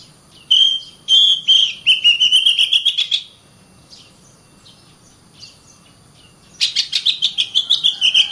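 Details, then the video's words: Oriental magpie-robin singing. Loud buzzy pulsed trills rise slightly over three seconds, followed by a quiet gap with faint chips, then another fast rattling burst of roughly a dozen pulses. "BURUNG KACER GACOR RAPAT"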